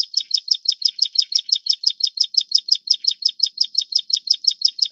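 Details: Plain Prinia of the subspecies flavirostris, endemic to Taiwan and found in riverbeds, grassland and farmland, gives a fast, even run of high, thin, buzzy notes, about five a second, repeated without pause.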